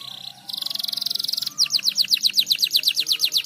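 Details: Canary song aimed at stimulating other birds to sing, with a short buzzy trill, then quick descending whistled notes about four per second over a faint low background hum.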